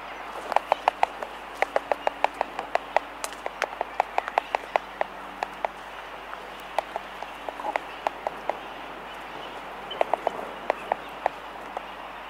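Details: Laysan albatrosses clicking in a colony, close up, with sooty terns in the distance; dense irregular runs of sharp dry clicks, sometimes in quick clusters, over a steady hiss with faint tern calls behind.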